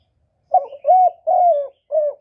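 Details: Spotted dove coo meant to attract wild doves to the trapping spot, recorded without background noise: one quick phrase of four low notes, a short clipped note, two longer drawn-out hoots, then a final softer coo.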